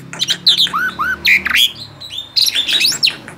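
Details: Lively gacor song of a tame male Asian pied starling: looping whistled notes, two falling slurred whistles, harsh squawks and rapid chattering phrases mixed in a varied, continuous stream.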